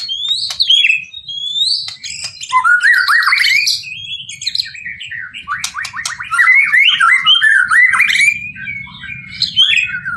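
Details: White-rumped shama singing a loud, varied song of whistled notes, rising and falling slurs and quick chattering runs, with brief pauses between phrases.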